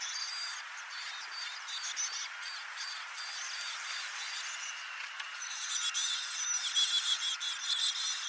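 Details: Hungry Black-capped Chickadee nestlings inside a backyard nest box, being fed by both parents, give a dense chorus of thin, high chips and squeaks, about three a second, swelling into a louder, more frantic burst toward the end.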